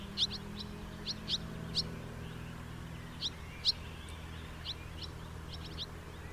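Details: House martin calling: scattered short, high, dry chirps, some in quick pairs, spread over six seconds above a steady low rumble of background noise.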